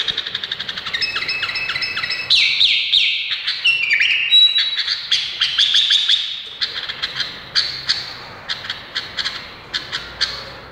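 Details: Indonesian bulbul giving a rich chattering phrase of quick whistles, then a long series of separate sharp chip notes repeated about every half second.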